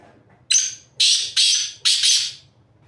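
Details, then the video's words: From the top of a rock, a black francolin calls: a loud series of five harsh, rasping notes over about two seconds. The last two notes run together, and a faint low hum sits underneath. "Black Francolin Voice || black teetar calling"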